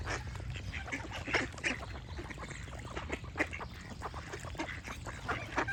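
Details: Flock of ducks chattering with rapid, overlapping short quacks, a few sharper calls rising above the mass, steady low background noise and other birds chirping faintly.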